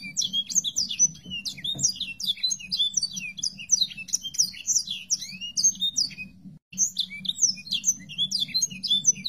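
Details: A Sanger bird gives a fast, continuous twittering of high, thin chirps and short slurred notes, running without pause over a faint low hum; the audio is used to train songbirds to imitate it.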